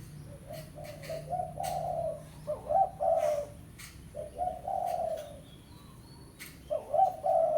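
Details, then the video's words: Fierce 'pesom' spotted dove lure call meant to bring in a rival for trapping: three phrases of soft, hollow coos, each a stutter of short notes rising into longer drawn-out hoots, with sharp clicks scattered between phrases. "Suara Pikat Tekukur Pesom - Tekukur Pikat Suara Memanggil Lawan - Hôi Chim Cu Gáy"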